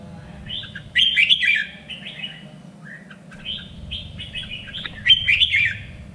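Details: Red-whiskered bulbul song for contest training: two bright, warbling phrase bursts, each a run of quick slurred notes rising and falling, separated by a softer lower note, over a constant low hum.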